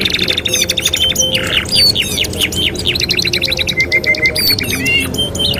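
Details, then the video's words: Singing canary on a training master track: a level whistled note series, a buzzy rattle, then varied sweeping chirps and short flat whistles, bright and rapid throughout over faint low noise. "TERAPI MASTERAN KENARI 2 IN 1 | CANARY SINGING"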